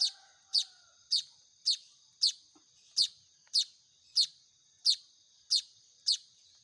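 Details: Baya weaver nestlings begging during hand-feeding: rapid run of shrill, high, squeaky chirps about every half second, eleven in under seven seconds, with a steady faint high hiss and a few soft background taps.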